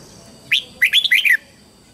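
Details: A lure red-whiskered bulbul, singing to call wild birds to fight, delivers one sharp upslurred note followed by a fast, lilting cluster of chirpy warbles, with a faint continuous electronic whine.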